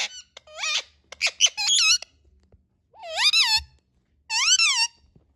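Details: Indian ringneck parakeet chatter: quick clipped squeaky syllables running together like speech, then two drawn-out, wavering, nasal screeches, each about half a second long, in a quiet indoor setting.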